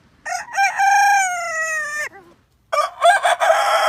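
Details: Rooster crowing: short stuttered opening notes, then a long sustained harmonic crow held steady for over a second before dropping off, followed after a brief pause by the start of another crow.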